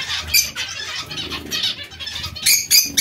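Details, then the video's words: Rapid nasal chirps from zebra finches, several notes overlapping, ending with two sharp louder calls. "Il diamante mandarino o bengalini"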